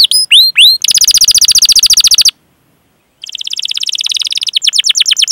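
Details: Domestic canary singing, recorded as a master to coax young or quiet canaries into song: curved whistled notes leading into a fast rattling trill, a brief silence, then another rapid trill.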